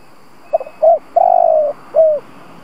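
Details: Decoy spotted dove gives a 'gù' cooing sequence used to provoke wild doves: soft short notes, a hoot, a drawn-out trembling low coo, and a descending last coo over faint background hiss.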